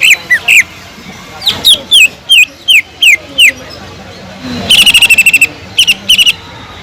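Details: Greater green leafbird singing a lively song filled with kingfisher imitation: separate short downslurred whistles, then a fast buzzy rattling trill and a few more sharp notes.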